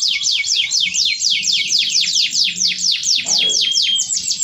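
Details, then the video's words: Canary singing steadily in the luxurious cengkok mewah style: a continuous rapid roll of high, sharply descending whistled notes, about two per second in places, over a faint low hum and brief noise. "Burung Kenari Gacor cengkok mewah"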